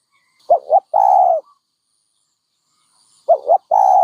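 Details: Dove uttering two low coo phrases about three seconds apart, each a pair of quick wavering notes leading into a long, even coo.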